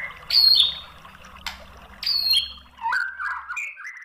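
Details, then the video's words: White-rumped shama song played as a lure to make another bird answer. It opens with sharp high notes that fall in pitch, then an abrupt click, then lower warbled whistles near the end. "MASTERAN MURAI BATU biar EMOSI jadi NYAUT GACOR"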